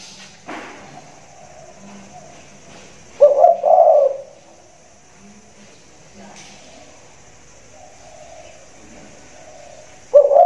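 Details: Caged spotted dove with a loud voice cooing from a hanging cage in the rainy season: a strong double coo phrase midway and another at the end, with fainter low coos and faint voices between.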